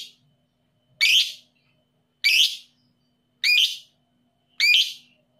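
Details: Harsh, shrill lovebird screeches, described as 'paud emosi' and meant to provoke lazy lovebirds into song; four evenly spaced bursts about every 1.2 seconds over a quiet background.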